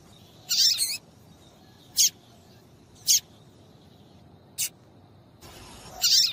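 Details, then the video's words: A female papa-capim seedeater calls to rouse males for singing contests: a harsh doubled squeak, then three thin high chirps about a second apart and a final loud rasping note. "PIADO DE FÊMEA DE PAPA CAPIM PARA DEIXAR SEU PAPA-CAPIM DOIDO PARA CANTAR LOGO!"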